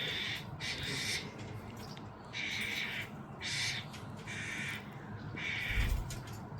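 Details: Starling fledgling begging while its parents feed it: loud, harsh, hissing bursts, each about half a second long, repeated at irregular intervals over steady background noise.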